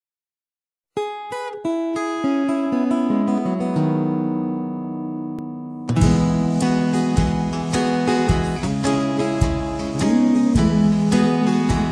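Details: Only music is heard, with plucked guitar notes ringing out and then a fuller strummed passage, and no animal voice.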